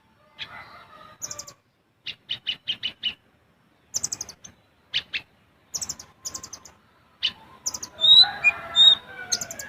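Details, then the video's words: High, thin rapid chirping from a caged olive-backed sunbird used as a training master: quick runs of four or five ticking notes, short pauses, then busier trilled bursts toward the end. The song is in the besetan and tembakan style. "Kolibri Ninja / Konin Gacor Full Besetan & Tembakan Rapat untuk Masteran ataupun Pancingan"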